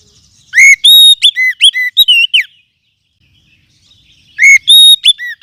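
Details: Oriental magpie-robin of the forest form, used as a lure sound and for training other songbirds: two bursts of loud, clear whistled notes, some rising and some falling, with a short silence between them.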